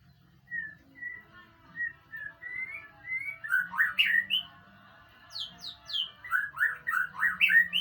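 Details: White-rumped shama song played to provoke a reply: a series of spaced, clear whistles rising in pitch leads into bursts of rapid, slurred warbling and higher sharp notes, continuing to the end over a faint hum.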